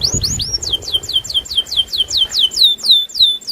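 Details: Canary (kenari loper) singing aggressively, challenging a rival: rapid series of loud descending whistled sweeps, about three or four per second, sliding from high to mid pitch, with faint low background rumble.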